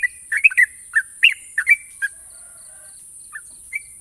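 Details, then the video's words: National champion Sooty-headed bulbul singing sharp trills: a quick cluster of bubbly chirps in the first two seconds, then a few isolated whistled notes, with steady high hiss. "burung trucukan juara nasional ropel panjang dan tajam"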